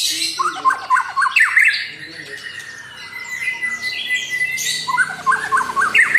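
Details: White-rumped shama song used as a lure to provoke a rival bird: varied loud whistled and chattering phrases, rapid notes between low and high pitches, with a sustained high thin note mid-clip and squawky bursts.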